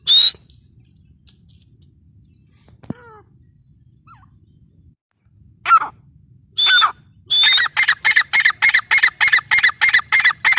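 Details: Grey francolin: scattered single harsh whistled notes and faint curving calls, building into a fast, regular series of rasping notes, about three per second, to the end.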